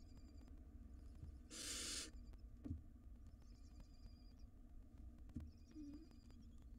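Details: Fighting over a meal, wild barn owl nestlings in a nest box give a brief harsh hissing screech, then soft thuds and faint high twittering.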